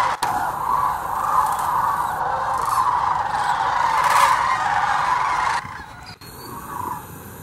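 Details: Thousands of migrating sandhill cranes wintering (mid-October to February) at Hiwassee Wildlife Refuge, Birchwood, Tennessee, raise a dense continuous chorus of rolling, trumpeting rattles that fades near the end, leaving scattered calls.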